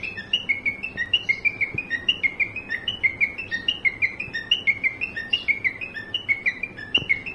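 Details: A kept cockatiel mimics a car horn in a steady run of sharp whistled notes, hopping between higher and lower tones at a brisk, even pace for several seconds over low room noise.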